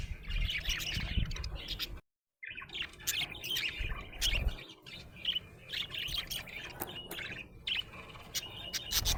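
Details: Happy budgerigar chirping in steady high, scratchy twitters and short tweets. A brief full silence breaks it near the two-second mark, and low rumbling noise runs underneath.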